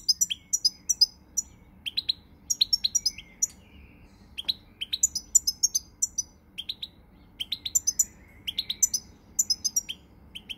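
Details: Goldfinch song from 20 March 2020: long stretches of fast, tinkling high notes in clustered phrases, bright doubled chirps and buzzy accents repeating with short gaps.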